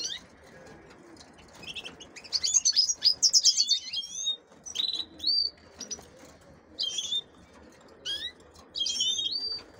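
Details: Female canaries held for pairing with goldfinches produce a rapid burst of dense, scratchy twittering, then separate sharp, upslurred chirps every second or so, with low background noise.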